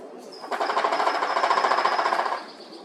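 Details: Male Pileated Woodpecker drumming on a tree: a single rapid, even roll of knocks lasting about two seconds, then stopping, with a faint high whine underneath.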